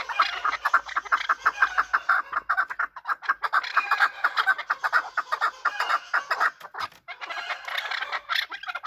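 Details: Chukar partridge (chakor) calling while fighting: a dense, fast run of harsh chuck notes, roughly two per second, merging into a continuous chattering chorus with no pauses.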